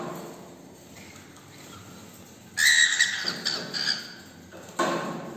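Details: A cockatiel, back from a morning walk, whistles a bright, clear phrase after a quiet start, then adds a short final note.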